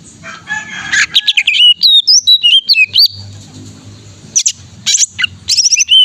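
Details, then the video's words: Greater green leafbird, a competition-style cucak ijo in constant song: a harsh opening burst, then a flowing run of varied whistles rising and falling, with short high piercing notes after a pause. "Cucak Ijo Gacor"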